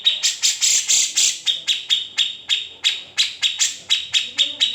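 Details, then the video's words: Cucak jenggot, the grey-cheeked bulbul, in an unedited master recording: loud bursts of hissing, scratchy notes early on, then a more measured series of sharp single chips about three per second. "Cucak Jenggot (Kamandanu) Masteran Wajib Murai Batu & Cucak ijo dan burung lain nya"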